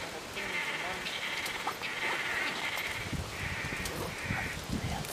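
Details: Swallow-tailed (blue) manakins at a lek on Ilha Grande, Angra dos Reis, Brazil. Several males jump in circles on a branch, displaying before a female, giving nasal, buzzy notes about once a second, with non-vocal sonations, a low rumble and faint background noise.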